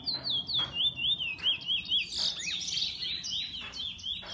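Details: Kept bullfinch singing a fast series of high, clear whistled notes that swoop up and down, run into brighter twittering phrases with sharp clicks, about two notes per second.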